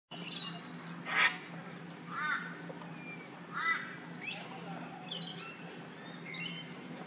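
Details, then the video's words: Green oriole, recorded 19 September 2023, giving harsh, raspy crow-like calls about every second or so, mixed with brief higher whistled notes over a low steady background hum. "Green Oriole"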